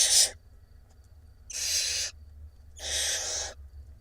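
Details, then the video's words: Hungry barn owl chicks in an Israeli nest box, fed by their mother on 17 April 2021, giving loud rasping hisses, each lasting about half a second to a second, roughly every 1.5 seconds. "Mom feeding her hungry 6 nestlings in the תנשמת LIVE Barn Owl Israel Cam"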